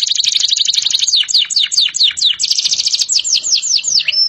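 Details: Canary delivering a dense high trill that shifts into a string of sharp descending sweeps, each note brief and rapid, sustained without pause.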